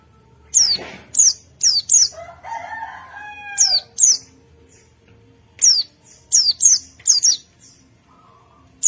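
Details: Wild forest white-eye answering the sound of another white-eye: sharp, high, down-slurred notes, mostly single or in quick pairs, scattered through the recording. A rooster's harmonic crow sounds mid-way, and a low background hum is present.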